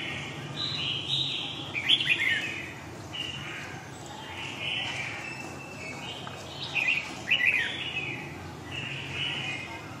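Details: Red-whiskered bulbul in long-voiced Huế song style, giving repeated warbled, chirpy phrases roughly every one to two seconds, with a few sharper accented notes, over low steady background noise and faint voices.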